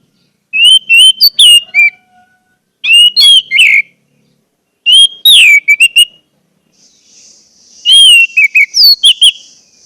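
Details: Orange-headed thrush lure song for getting caged birds to sing: four phrases of whistled notes and quick chattering accents, spaced about two seconds apart, with a steady high hiss near the end.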